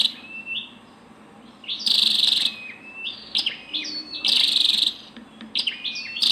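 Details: Female scarlet-backed flowerpecker giving high, thin stepped whistles mixed with loud harsh buzzy bursts roughly every two seconds, over a faint low background hum.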